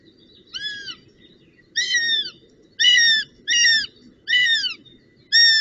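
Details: Northern goshawk recorded on 25 June 2018 gives six loud, ringing, downslurred wails, each about half a second long and roughly one a second, over a steady low rumble.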